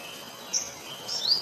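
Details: An Olive-backed (yellow-bellied) sunbird (Cinnyris jugularis), singing while sipping nectar, gives two thin, very high notes, the second a sliding, rising squeak, over a faint steady insect-like hum.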